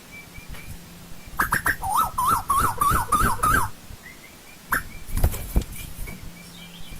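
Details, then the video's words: Asian koel in old-growth forest giving a quick bubbling run of about eight short, wavering mid-pitched notes over two seconds, framed by sharp clicks and thumps, with a faint thin steady tone behind. "Tiếng chim TU HÚ rừng già"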